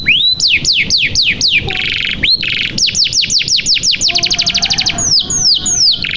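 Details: Canary singing vigorously, 'gacor' style, as a lure to coax stalled canaries into song: loud swooping whistles repeated about four per second, a buzzy rattle, then a fast high trill and drawn-out slurred notes.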